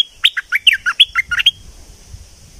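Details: Vigorous song of a streak-eared bulbul from southern Thailand: around eleven crisp, descending chirped notes delivered rapidly over a second and a half, then fading into low background rumble.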